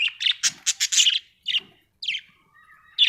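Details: Budgie chatter, close and loud: a rapid run of buzzy, scratchy notes, then a few separate chirps and a faint thin whistle before one last sharp chirp.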